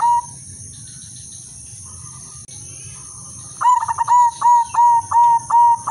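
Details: Silver female zebra dove serving as a lure for breeding condition: after a quiet stretch with one short coo, a fast stuttering roll leads into six steady, identical coos repeated at a brisk even pace; faint whine throughout.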